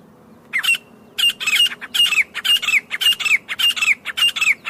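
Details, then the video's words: Loud grey francolin call recorded in the jungle. After a short pause, harsh rasping double bursts with whistled slurs repeat rapidly and evenly, roughly twice per second, against quiet background. "Acha Teetar Ki Loud Awaz | Real Teetar Call in Jungle"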